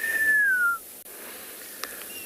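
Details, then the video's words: African grey hornbill calling in the background during a morning safari drive in South Africa, while double-banded sandgrouse sit in the road; a single clear whistled note, slightly descending, lasting under a second, then quiet bush with a faint click. "You can hear it. African grey hornbill in the background."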